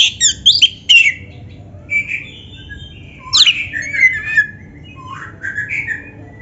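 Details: Lively Oriental magpie-robin song, meant to spur captive birds to sing: an opening cluster of sharp chirps, then clear drawn-out whistles and slurred phrases with gaps between them.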